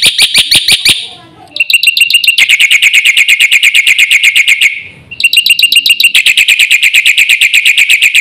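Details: Black-winged myna singing in full, busy 'gacor' style with fill-in phrases, meant as a lure and tutor for other mynas: fast trains of sharp, high chips in bursts, broken by two short pauses.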